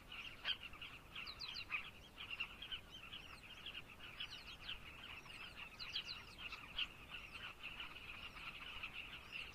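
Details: Zambian carmine bee-eaters give a thick chorus of trilled calls with clearer upslurred notes standing out above the steady chatter.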